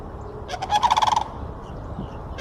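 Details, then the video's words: A sandhill crane in Florida gives one short, loud, throaty rolling rattle of about eight rapid pulses, lasting under a second, against faint background hiss. "Sandhill cranes calling"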